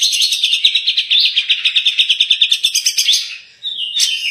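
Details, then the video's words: Cucak jenggot, the grey-cheeked bulbul, singing 'tembakan' style for song-tutoring: a rapid rattling run of high, sharp, repeated notes, about six per second, for three and a half seconds, then a brief drop and a bright whistled phrase. "cucak jenggot gacor dor tembakan"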